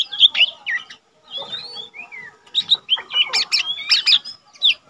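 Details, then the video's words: Caged lesser green leafbird, untrained yet singing often, recorded for tutoring other cage birds. Sharp whistles open the clip, then a short pause and soft slurred notes, building to loud, quick chattering whistles. "cucak ijo mini bahan udah rajin bunyi"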